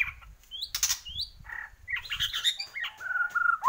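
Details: White-rumped shama of the Borneo type singing busily: high upslurred whistles, a burst of rattling and fluttering notes, then a descending whistled phrase with soft low thumps in the background.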